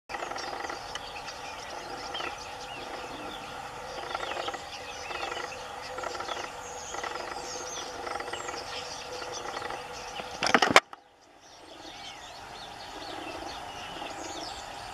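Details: Rosy starling at Assenede, Belgium, on 1 August 2020, giving a dense, continuous chatter of scratchy rattles, squeaks and whistles, as from a busy flock; it cuts off sharply near the end, then resumes more quietly.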